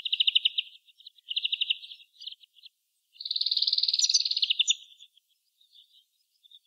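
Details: European greenfinch song: two rapid, even trills of bright repeated notes, a few scattered chirps, then a longer rolling trill lasting about a second and a half, ending in soft isolated notes against a quiet background.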